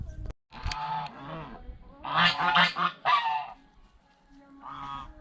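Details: Several hoarse, nasal honks from geese eating bread and fresh vegetables at a fish pond, a loud cluster midway and a softer call near the end.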